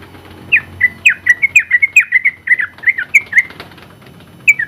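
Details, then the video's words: Contest-winning sooty-headed bulbul singing its long rapid 'ropel' style meant for tutoring other bulbuls: quick run of bright, slurred whistled notes after a short quiet start, ending with a lone note after a pause. "KICAU Suara Burung Trucukan Gacor ropel panjang ampuh buat masteran trucuk"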